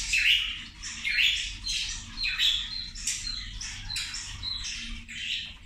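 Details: Zebra finches at lunch, loud nasal, squawky honks repeated roughly twice a second in overlapping waves, a low hum beneath.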